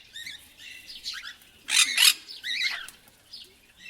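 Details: Parrot giving a fast run of high chirps and short upswept squeaks, with a louder harsh burst near the middle and scattered softer notes before and after.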